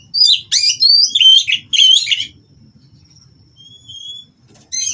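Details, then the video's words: White-rumped shama in a breeding aviary, mating song aimed at rousing rivals; four loud rapid bursts of whistled and chirped notes in the first two seconds, then quiet faint whistles and a final short burst. "Burung Kacer Kawin Merangsang Lawan Untuk Bunyi dan Lebih Gacor"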